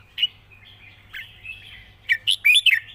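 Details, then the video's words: Red-whiskered bulbul, a cage bird, with a long rik song: a lone chirp, a soft murmured stretch, then a rapid loud burst of slurred warbling notes. "ปากเบา+ร้องง่าย เพลงยาวมีริก"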